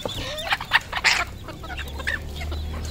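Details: Village decoy red junglefowl calling in a few loud, broad, harsh bursts in the first second, then thinner chirps over a steady low hum.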